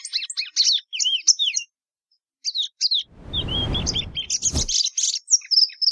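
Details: Rapid chirping warble of a plumbeous seedeater, Sporophila plumbea, pausing briefly, then resuming while a low rumbling thump and a sharp knock sound in the middle.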